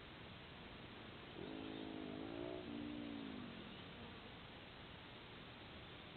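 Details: White-bellied sea eagle (Haliaeetus leucogaster) at an Australian nest-cam, the female bringing fish and feeding two chicks, gives a drawn-out nasal honking call that wavers up then slides down over two seconds, with steady wind.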